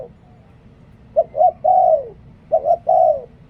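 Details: Cooing of a spotted dove used as a decoy: two clear phrases, each made of two clipped notes leading into a sustained, downward-sliding coo.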